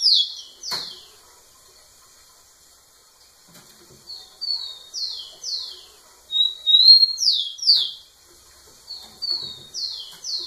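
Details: Male rufous-collared sparrow singing persistently to a female, repeated phrases of bright, downward-slurred whistles in bursts separated by short pauses, one sharp click early on.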